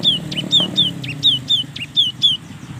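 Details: Cinereous tit singing to coax lazy young birds into song, a quick even series of about nine clear, downward-slurred whistled notes in under three seconds, with faint low background hum.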